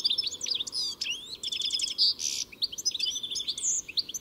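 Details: Lively European goldfinch song: dense tinkling twitters, rapid trilled notes, a short harsh buzzy burst and clear whistled phrases in quick succession.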